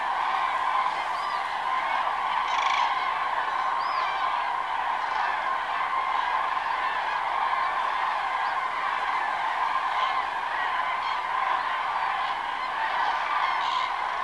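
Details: At daybreak, a large flock of common cranes (Grus grus) preening their feathers calls without pause: a dense wall of overlapping, rolling trumpeted notes, with a few clearer individual calls rising above the chorus.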